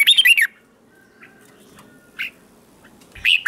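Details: Red-whiskered bulbul, kept for training, singing in the morning to spur other birds into song contests: a short burst of loud, rich, warbling notes, then quieter single chirps, and another loud warbled phrase at the end.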